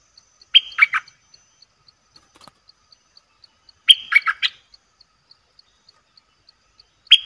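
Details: Lure recording of a bulbul for attracting fierce wild birds: short bursts of three or four sharp, chattering notes, a few seconds apart, over steady faint high ticking.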